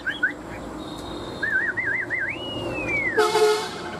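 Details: Fighting-style song from one of two tame caged Chinese hwamei kept three years: a wavering trilled whistle, then one long rising and gently falling slur, ended by a harsh burst, over constant low background noise.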